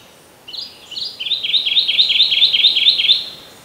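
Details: Kentucky warbler (Geothlypis formosa) singing in early July at Townsend's Park, Murrysville, Westmoreland County, Pennsylvania: a few lead-in notes, then about eight rolling two-part phrases repeated quickly on an even, high pitch. Faint background hiss.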